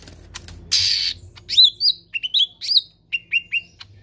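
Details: A dense rasping burst opens this stretch of lesser green leafbird song in the 'tembakan kasar' style, followed by a rapid string of bright slurred whistles stepping downward, then three evenly spaced lower notes.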